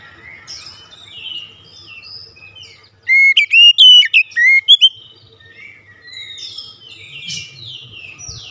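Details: A White-rumped shama breaks in with a two-second string of loud, rich whistles and sharp slurred notes, while other birds chirp softly before and after.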